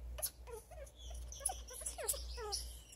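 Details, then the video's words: Pet African grey parrot hen calling when happy and seeking affection: scattered short whiny notes, some rising and some falling, with squeaky overtones and a few sharp clicks over a steady low hum. "African grey parrot Nikki makes this cute sound when she is happy and wants love"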